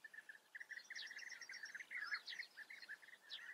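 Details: European bee-eaters at a breeding colony in the Eifel, Germany: many rolling, burry 'prruip' notes overlapping in a continuous chorus, mid-pitched and repeated rapidly by several birds, with no other clear sounds.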